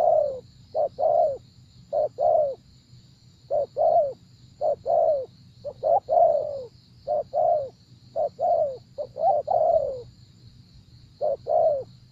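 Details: Long run of spotted dove coos, brief clipped notes alternating with falling longer ones in a regular rhythm, while a pulsing high whine runs underneath.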